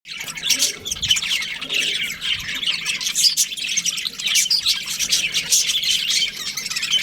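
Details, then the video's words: Budgerigars in breeding season, a group of them chirping together: a dense, continuous chatter of high, scratchy twitters and squeaky notes, overlapping without pause. "Cute budgies chirping sounds"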